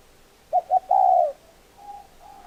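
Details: Spotted dove phrase: two short, quick coos leading into a sustained, low, hollow coo, followed by faint soft coo notes.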